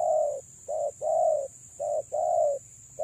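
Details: Female spotted dove calling to lure males: soft, low, hollow coos, a short note followed by longer drawn-out ones, repeated in quick succession over a steady high-pitched whine in the background.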